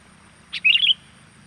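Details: Sooty-headed bulbul call in full voice, used as a lure for wild birds: a short leading note, then a lively stream of quick, liquid, chirping notes rising and falling, with a low hum underneath.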